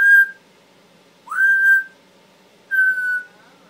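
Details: Pet male Timneh African grey parrot, which says many words and sounds, gives three clear whistles, each sliding upward and then holding a steady tone, separated by about a second of silence.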